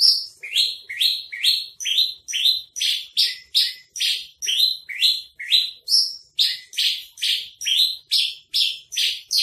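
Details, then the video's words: A Horsfield's (Javan) bush lark, recorded as tutor song for caged birds, sings a fast run of high, buzzy, down-slurred notes, about two each second, steady and insistent, with nothing else audible. "masteran branjangan trotol"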